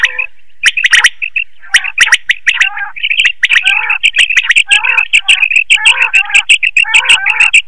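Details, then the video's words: Quail heard in a night net-hunting lure: crisp repeated chirps and clicks running almost continuously, with rougher buzzy notes mixed in. "Quail call for night net hunting | Batair ki awaz Rat k leay | بٹیر کی بولی رات کیلیے"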